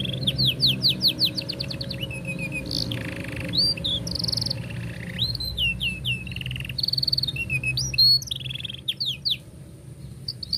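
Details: Long canary song played as a lure to teach young canaries their song: fast sweeping note series, whistled upslurs, buzzy rattles and varied high tours, with a faint low hum below.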